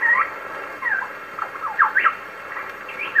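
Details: Superb lyrebird singing in the wild in Sherbrook Forest, Victoria, Australia, on an old recording: quick looping whistled notes sweeping up and down, in scattered bursts over a steady hiss.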